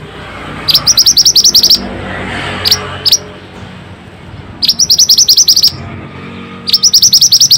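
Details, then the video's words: Energetic Pied bushchat song used as a lure for silent birds: fast series of high, bright repeated notes in one-second bursts, with short two-note fragments between, over steady low rumble. "Pancingan burung Mantenan gacor ll Cocok untuk burung mantenan malas bunyi"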